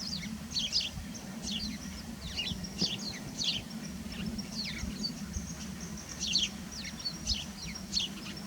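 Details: A flock of house sparrows on a snowy Midwest winter morning at −11 °F, social in the non-breeding season and communicating almost nonstop: overlapping short, bright, slightly falling chirps from many birds over a steady low background rumble.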